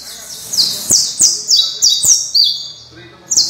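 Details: Canario criollo canary singing a run of high, bright notes, each sliding quickly downward, repeated roughly every third of a second with short gaps, along with sharp clicking taps.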